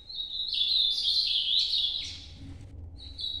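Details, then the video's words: Ultramarine grosbeak, nocturnal Nordeste song: a steady high note rising into a loud rapid warble lasting about two seconds, then a quieter pause and a new phrase starting. "Canto Nordeste Azulão Noturno"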